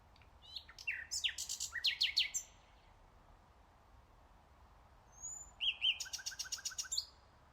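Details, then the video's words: Common nightingale song: a burst of varied loud whistled and clicking notes, then silence for about three seconds, followed by a fast rattled trill with a high whistled lead-in. "NIGHTINGALE sounds. So PEACEFUL"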